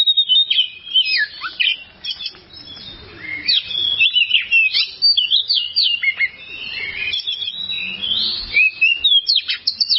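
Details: Oriental magpie-robin song used as a long tutor recording for training kept birds: rich, varied whistles and rapid slurred phrases with sharp rising and falling sweeps, delivered in quick bursts with short pauses.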